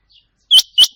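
A Rain Quail gives two loud, sharp, high whistled notes about a third of a second apart, after a faint short note; nothing else is heard.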